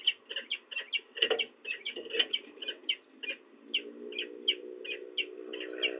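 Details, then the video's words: A young peregrine falcon gives rapid, sharp chittering chips, three or four a second, with a low steady hum building underneath, as prey is brought at the De Mortel nest, Netherlands, 31 March 2024. "op het einde gechitter van jonge valk"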